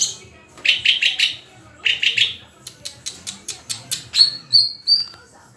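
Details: Murai, the white-rumped shama, delivering chattering phrases, then a quick series of sharp clicking notes and three clear high whistled notes at the end.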